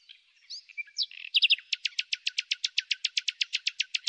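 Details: Common nightingale spring song: scattered whistles and a short buzzy note lead into a prolonged, regular rattle of sharp, clipped notes repeated several times a second.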